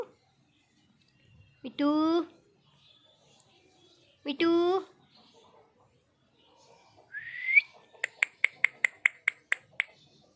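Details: Pet parrot said to be angry. Two rich, nasal, harmonic squawks are followed by a rising whistle and a rapid series of sharp clicks, in a quiet room.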